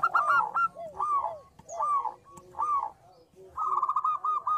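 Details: Perkutut, a local zebra dove with a small voice, in busy song: a rapid stutter of clipped coos, then several separate bubbling phrases with lower curved notes, closing with a fast even trill of coos.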